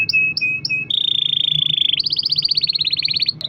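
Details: Singing canary, a lure recording for making other canaries sing: three short whistled notes, then a long steady buzzy roll, switching to a rapid pulsing trill.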